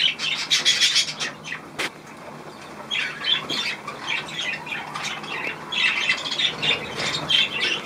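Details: Several budgerigars eager to bathe, 16 March 2024: busy warbling and chirruping chatter at high pitch, with a single sharp click near two seconds and constant rustling noise.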